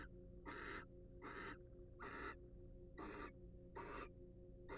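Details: Wild barn owl filmed by a nest box camera used for research; evenly spaced rasping hisses repeat roughly every three-quarters of a second, steady in strength, over a faint low hum.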